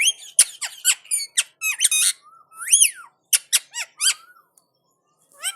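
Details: Indian ringneck parakeet talking back to another parrot: fast squeaky syllables, a drawn-out arched whine, then clipped word-like notes and a faint trailing whistle.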